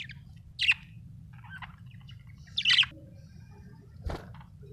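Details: Budgies at home giving a few sharp, scratchy single chirps spaced about two seconds apart, with faint soft twitters between them over a low background hum.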